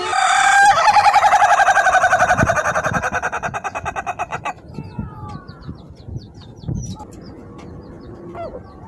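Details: Ayam Ketawa crow as a steady, rapid series of cackling pulses over about four seconds, fading gradually. Small bird chirps follow in the background.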